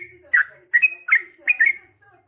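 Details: Yellow-vented bulbul in gacor song used to draw replies: four bright, slurred whistled chirp phrases in about two seconds, rich and liquid, with faint background hum.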